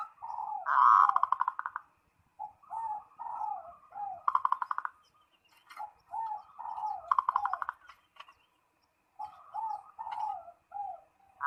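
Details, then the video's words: Zebra dove (perkutut) calling out to a rival in repeated phrases: a loud rattling trill followed by a chain of soft, downslurred coos, the pattern returning three more times. "SUARA PERKUTUT MEMANGGIL LAWAN"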